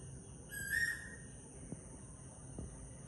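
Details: An Asian koel in a garden in Sri Lanka in the morning gives one clear, rising whistled note, then falls quiet; two faint clicks and a steady high-pitched hum carry on behind.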